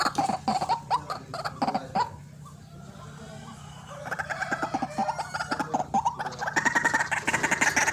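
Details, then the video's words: White-breasted waterhen calling fiercely in a trapping-lure recording. A burst of rapid harsh clucks gives way to a quieter pause, then the choppy calling resumes and builds. "RUAK RUAK GACOR GANAS RAJANYA PIKAT"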